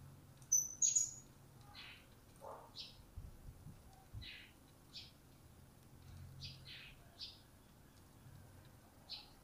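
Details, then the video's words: Newly acquired captive blue-crowned hanging parrot beginning to call: scattered short, thin high chirps at an uneven pace, with one sharper whistled note near the start, over a soft low background hum. "Serindit Yang Baru Dapat Sudah Mulai Berbunyi???"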